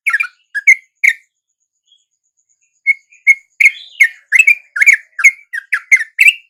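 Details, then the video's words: Wild yellow-vented bulbuls at dawn, reacting to a lure: a few separate bright chirps, a near-silent gap of over a second, then a thin note and a rising rush of lively, tumbling chatter. "RATA-RATA TRUCUK macet LANGSUNG NYAMBER dan IKUT BUNYI dengan pikat TRUCUK shubuh ini"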